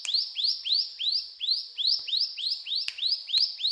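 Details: Rapid upslurred chirps from a brown prinia singing in the cetrakan style, each note swooping up into a high clear pitch and repeated rhythmically without pause.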